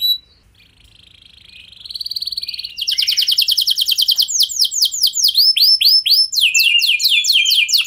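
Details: Canary song used as a lure to make other canaries respond: after a quiet start, a thin high note, then fast buzzy trills and rapid repeated swooping whistled notes, changing phrase every second or two.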